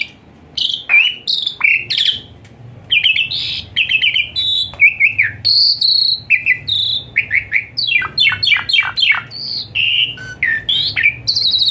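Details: Asian pied starling song with varied phrases, played daily to make a lazy-singing starling sing; quick clicks, chattering buzzy notes, whistles and a rapid rattling sequence, over a faint low hum.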